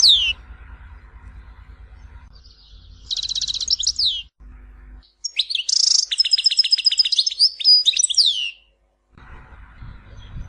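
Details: Tizi Ouzou goldfinch, an Algerian song type used to teach young birds: one downslurred whistle, a short buzzy trill, then a long fast sequence of trilled and twittering notes over a low hum.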